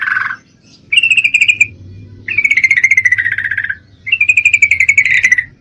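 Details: Three long rattling trills from a female Yellow-vented Bulbul in breeding condition calling a male, each about a second or more, slightly falling in pitch, with a steady low hum underneath.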